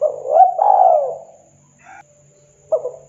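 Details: Spotted dove of local wild stock singing while perched, KUK 2 style. A rolling, rising coo phrase opens, followed by a quiet pause, then a new soft coo begins near the end.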